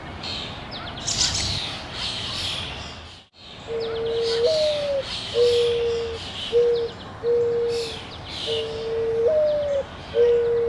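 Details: A dove at Petrie Island, Ottawa, Canada, gives a run of low, soft hooting coos, some with a slight upward lift, spaced about a second apart, while small birds chirp higher in the background.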